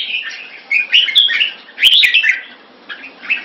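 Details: Red-whiskered bulbul, 2 September 2017: bursts of quick chattering and twittering notes in short phrases separated by quieter gaps, with a couple of sharp clicking knocks mid-phrase.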